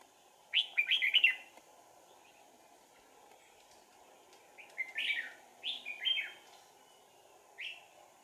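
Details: Decoy red-whiskered bulbul singing during Sàng cầu trapping on 4 April 2019. An opening cluster of quick chirpy notes is followed by a pause, then several short slurred phrases spaced about a second apart, over a low hiss.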